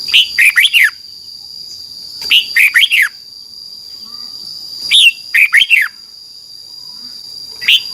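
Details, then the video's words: Thai red-whiskered bulbul song for training young birds. Short phrases of four lively, falling whistled notes repeat at roughly two-and-a-half-second intervals, a constant high electronic whine running underneath. "นกกรงหัวจุก, 30 นาทีทุกเช้า เพื่อให้นกเรียนรู้ที่จะพูดได้อย่างรวดเร็วและหนักแน่น"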